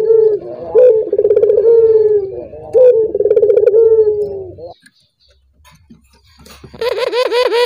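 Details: Collared dove cooing, meant to set other doves calling: two rolling, pulsed coo phrases ending in long held notes, then a pause of near silence, followed by a series of rapid, rising and falling calls.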